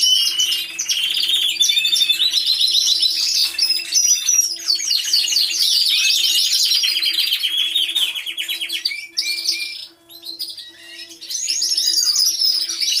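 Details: Many canaries singing in an aviary, picked up by a hidden camera: long, rapid trilled phrases and whistles overlapping, a brief lull near the end, and a soft mechanical ticking about twice a second throughout.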